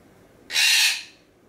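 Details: Grumpy monk parakeet giving a single harsh, broadband screech lasting about half a second, loud and noisy rather than tonal, over quiet background.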